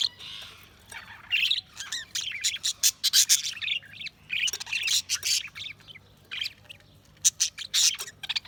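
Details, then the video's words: Budgerigars give quick runs of clicking chirps and squawky notes, bunched into loud flurries separated by quieter gaps of about a second; a soft low hum runs beneath. "Budgies Chirping sound"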